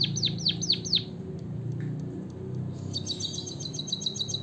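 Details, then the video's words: High falling chirps of a white-headed munia, played to lure birds into song: four quick slurred notes, a quiet pause over low background hum, then a fast high rattling trill. "suara kicauan burung emprit kaji gacor"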